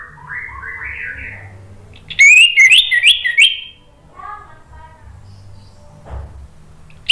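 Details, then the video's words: Orange-headed thrush lure sound meant to stimulate a silent bird to sing: soft low warbling, then a loud burst of rapid rising whistled notes, followed by quieter low phrases and faint background hum. "PANCINGAN ANIS MERAH NGEPLONG merangsang BUNYI jadi NYAUT GACOR NGEPLONG"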